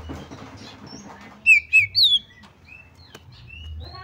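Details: Female white-rumped shama calling to draw other shamas into song: three loud, clear whistled notes, two bending downward and a higher slurred one, after quiet rustling, followed by soft scattered chirps.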